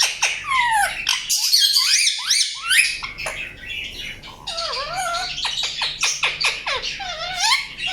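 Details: Indian ringneck parakeet chirping: dense harsh squawking and falling whistles, a short quieter gap, then bursts of rapid clipped chirps about two per second with dipping whistled notes.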